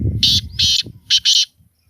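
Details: Kala teetar, the black francolin, calling four loud, rasping, buzzy notes in two pairs within a second and a half, with low rumbling noise at the start.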